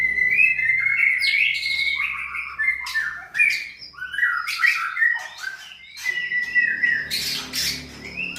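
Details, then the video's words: White-rumped shama, a contest bird from a breeding farm in Sragen, Indonesia, pouring out fast varied phrases about 150 per minute, mixing long whistles, downslurred notes and harsh scratchy bursts. "peternakan Murai Batu Kontes AK 45 Sragen"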